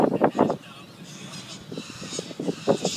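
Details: Wild little corellas (short-billed corellas) feeding, drinking and play fighting give a few harsh, raspy screeches, a quick cluster at the start and more ragged squawks later, over a soft background hiss.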